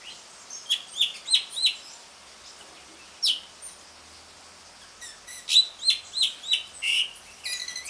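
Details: Asian pied starling ngriwik chatter, used as a lure for starlings that have stopped singing: quick bursts of bright, bent whistled chirps, a pause with one squeal, then a faster run of rising and falling chirps and scratchy notes.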